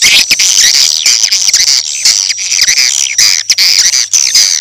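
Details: Lure sound of edible-nest swiftlets used in swiftlet houses around the clock: loud, dense, harsh squawking chirps crowding together nonstop with a shrill high whine above.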